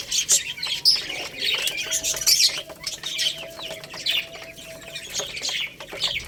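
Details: Young Lohmann Brown rooster and hen chicks eating rice give rapid high chirps and squeaky peeps, with clicking sounds throughout and a faint steady tone in the background.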